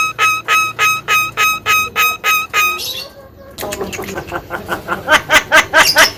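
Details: Javan myna song meant as a master for teaching other birds: eight loud nasal honks evenly spaced, a brief pause, then a fast scratchy chatter of rising notes.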